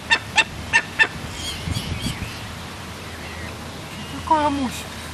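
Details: Captive Barbary falcon chick, two weeks old, fed by an imprinted gyr x peregrine female falcon. Four short, bright chips come in about one second. After a quiet gap, one drawn-out descending whine is heard against low hum.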